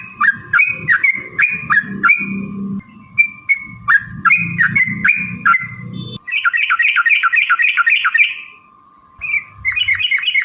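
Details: Yellow-vented bulbul (trucukan) in lively gacor song, used as a lure to make other trucuk birds answer: bursts of short, rapidly repeated chirping notes, pauses between phrases, then a fast rattling run near the end, with a steady faint tone underneath.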